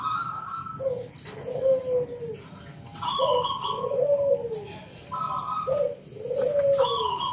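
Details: Local zebra dove song in 'kung bulat' style, used to lure other doves into calling. A high note runs into a soft, low, arching coo, repeated three times amid steady background noise.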